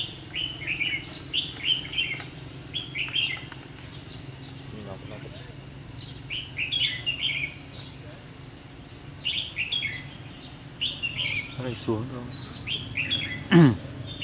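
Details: Red-whiskered bulbul decoy singing at a trapping site on 17 July 2016: repeated clusters of clear whistled, warbling phrases every second or two, a brief rising note, a steady insect hum and a few low thumps.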